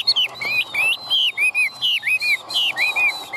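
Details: Chinese hwamei, a caged bird in Vietnam with a spread tail and high-held wings, sings loud clear whistled phrases, swooping notes dropping and rising, repeated in quick separate bursts about every third of a second.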